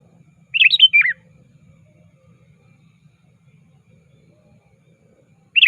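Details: Sooty-headed bulbul, lively and active, calling a rival, a lure recording for bird trapping: one quick burst of bright, bubbly chirped notes dipping and rising, then silence before another phrase begins at the very end.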